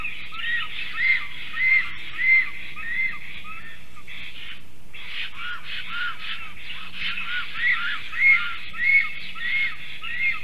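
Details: Male and female black storks at the nest tree, calling while defending against a stranger stork on 12 July 2023 late morning; rhythmic repeated whistling, rising-falling hoarse notes in long runs with a brief pause midway, faint low hum beneath.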